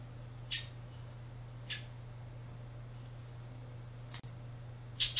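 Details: Bullock's oriole in a park it migrates through, present April to July, giving short, harsh chattering call notes about a second apart over a steady low mechanical hum.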